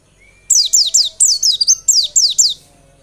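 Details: Lure song of a white-eye to stimulate singing. A tight run of about nine very high, sharply falling notes, briefly broken by a buzzy trill, with a faint thin tone before.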